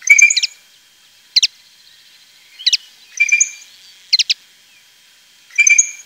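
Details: Goldfinch recorded near Tablas de Daimiel and Villarrubia, Llanura Manchega, Spain, giving short high twittering bursts and paired sharp ticks, repeated roughly every second in a quiet setting with a faint steady background hum.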